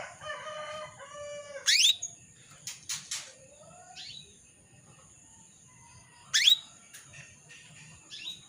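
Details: Female canary calling a male: a brief low warbled phrase, then bright upswept calls repeated about every four to five seconds, with scattered clicks and thin chirps between.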